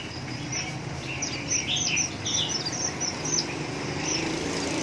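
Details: Red-whiskered bulbul from Hoa Binh, Vietnam, singing: a run of short bright whistled and warbled notes repeated through the clip, with steady low background hum.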